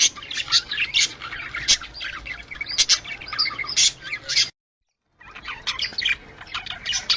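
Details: Budgerigar sounds to stimulate breeding: rapid, scratchy chirping and warbling for four and a half seconds, a brief dead silence, then the chattering resumes.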